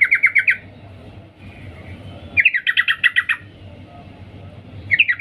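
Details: Calling to the male, a female yellow-vented bulbul gives short rattling bursts of quick, even notes with gaps of about two seconds between them, over low rumbling noise.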